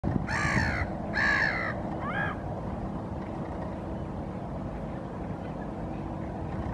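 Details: Black-headed gull standing on a rock in Helsinki, Finland, April 2023, gives three harsh grating calls in the first two and a half seconds, two long and one shorter, over a steady low rumble of wind or distant traffic.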